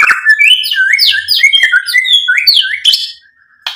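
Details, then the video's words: A white-rumped shama's provoking song, meant to stir others into answering: quick sequence of looping whistled notes rising and falling in a steady rhythm, about two phrases each second, ending with a sharp high note and a brief pause. "PANCINGAN MURAI BATU biar EMOSI NYAUT jadi GACOR BONGKAR MATERI ISIAN | SHAMA BIRD"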